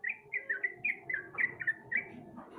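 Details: Sooty-headed bulbul, used as a lure to get a quiet bird singing: a quick run of short, clear, downward-slurred chirps, evenly spaced about four per second, with soft background rumble beneath.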